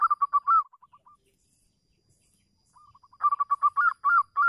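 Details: Cooing of a local zebra dove meant to draw other doves into song: a rolling phrase fading into soft clipped notes, a pause, then renewed rapid staccato coos and longer throaty rolls.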